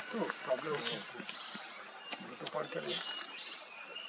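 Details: A male Orange-bellied Leafbird (Chloropsis hardwickii) in the Mishmi Hills, Arunachal Pradesh, India, in April, gives two high, thin whistled phrases about two seconds apart, each sliding and slightly buzzy, with quiet human voices murmuring underneath.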